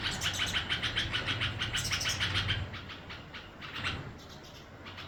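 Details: Red-vented bulbul chick calling with quick repeated high chirps for the first two and a half seconds, then quieter scattered notes over a low rumbling background.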